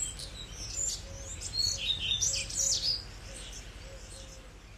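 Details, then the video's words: Redstart singing a fast, high twittering phrase of varied chirps and trills that swells in the middle and fades, with a series of short, low, even tones repeating underneath. "Il Codirosso"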